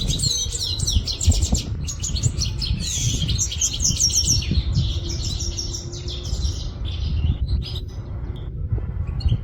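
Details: European goldfinch of Quetta in a long run of fast, jangling, twittering song with rapid chattering trills, fading near the end, over constant low background rumble.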